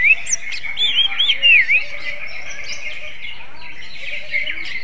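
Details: Greater green leafbird with a kacer-like song gives a short burst of looping whistled notes at the start, then softer, scattered chirps over a steady hum.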